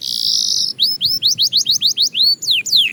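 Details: Belgian canary song opening with a steady harsh buzzy tone, followed by a regular series of short rising-falling whistled notes and two longer sweeping phrases.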